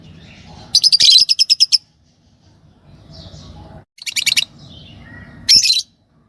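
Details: Green Fischer's lovebird pair: a rapid run of about eight sharp, high, buzzy chirps, a pause, then another fast chattering burst and a final harsh squeaky note.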